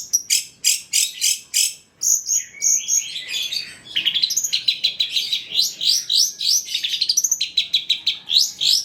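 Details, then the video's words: Long-tailed shrike of the trotol type in a lure recording with varied fill-ins. Rapid bright pulsed notes are followed by a twittering, rising-and-falling warble of quick slurred chirps, very fast and varied. "PANCINGAN CENDET TROTOL AGAR BUNYI, MASTERAN CENDET GACOR FULL ISIAN"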